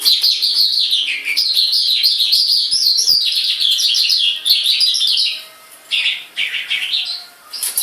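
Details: Singing vigorously while outside its cage, a tame white-rumped shama that stays calm and does not fly away. Continuous rapid chattering and warbled notes, with quick repeated phrases, then brief pauses between shorter bursts toward the end.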